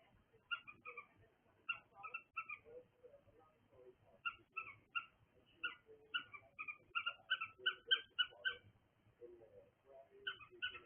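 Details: A cockatiel chirps steadily, with short bright two-toned notes repeated several times a second in runs and brief pauses between bursts, over soft low chatter.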